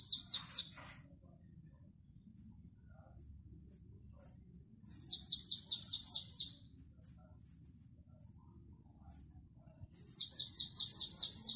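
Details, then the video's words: Canary giving classic Belgian-style song, 2021 recording: three bursts of rapid, repeated downward-sweeping high whistles, each run lasting one to two seconds, separated by scattered thin high chirps over a steady low hum. "CANTO BELGA CLÁSSICO 2021"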